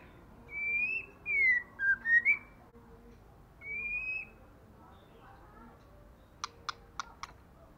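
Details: Female white-rumped shama calling to provoke males to fight: clear, slurred whistled notes, some rising and some falling, in short bursts, followed by four sharp clicks and faint background noise.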